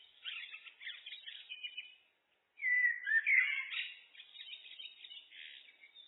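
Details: Blackbird song on a loop: continuous softer twittering, a short gap, then a strong, mellow whistled warble followed by an extended run of quieter, scratchy twitters.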